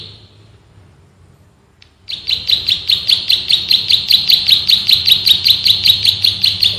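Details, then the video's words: Ngebren song of a male prenjak sawah, the bar-winged prinia, for training birds: a faint start, a brief quiet gap, then a long run of fast, high, ringing chirps in close succession. "MASTERAN BURUNG PRENJAK SAWAH GACOR, NGEBREN TEMBAKAN RAPAT SUPER ISTIMEWAH"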